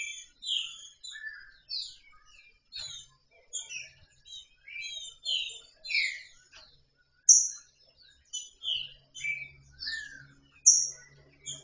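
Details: Loose female green-winged saltator soliciting mating: a series of short, high, down-slurred chirps and sharp notes, loosely spaced about one to two seconds apart, with faint low rumbling in places.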